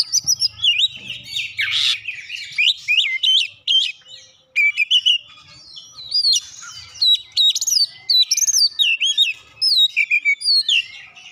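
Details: Oriental magpie-robin singing in Java sparrow style, a long lively sequence of twittering chips, looping whistles and an early rough burst, with faint low noise.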